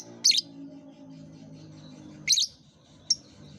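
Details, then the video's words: Lovebird sound used to encourage young birds learning to sing; three piercing high chirps, the first two harsh and buzzy about two seconds apart, the last a brief sharp squeak, over low hum. "Suara terapi lovebird | kicau terapi lovebird paud"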